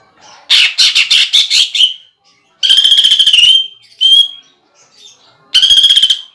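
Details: Contest-style song of a greater green leafbird with woodpecker-imitation filling: a series of harsh separate chattering notes, then rapid rattling trills broken by a short whistled note, clear and close.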